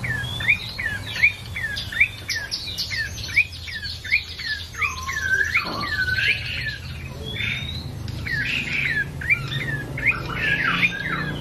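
An ashy tailorbird delivers a quick run of sharp, high chirping notes, some rising and some dropping, over a low steady hum.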